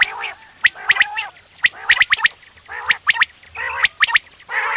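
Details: Morning hunting call of quail: crisp clicking notes in close twos and threes, alternating with buzzy harmonic phrases roughly once a second, several birds overlapping.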